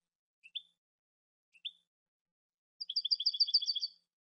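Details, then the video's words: Goldfinch with two short rising chirps about a second apart, followed by a quick ringing trill of two-toned high notes lasting just over a second. "cante de jilguero"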